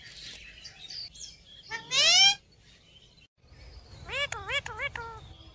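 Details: Indian parrot giving a loud rising screech, then after a pause a rapid run of four or five wavering harsh notes, with faint background chirps.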